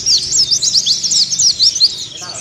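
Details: Continuous ngeriwik twitter of a Kelud mountain white-eye, a training song for opening beaks: bright, very high, fast-sliding chirps strung densely together, crisp and loud throughout the short burst.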